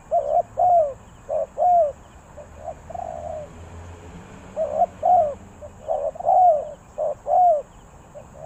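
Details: Spotted dove giving a three-note cooing call: low, hollow coos grouped in repeated phrases, each ending in a longer drawn-out note, with a steady faint high hum in the background.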